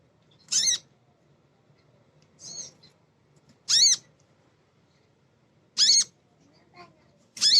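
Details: Female crimson sunbird calling as if summoning a male in the wild, used to lure captive birds into song: single sharp, high, slightly down-slurred notes, each bright and clipped, repeated about every two seconds over a quiet background.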